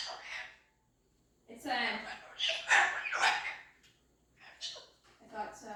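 A cockatoo gives harsh, raspy, voice-like bursts in uneven runs of about a second, separated by short silences; nothing else stands out.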